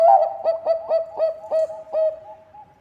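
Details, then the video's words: Bangkok-type perkutut, the zebra dove, singing as a lure to draw song from other birds: a loud series of about eight clipped, evenly spaced coo notes, then a softer fading trill. "Perkutut bangkok gacor suara cocok untuk pancingan"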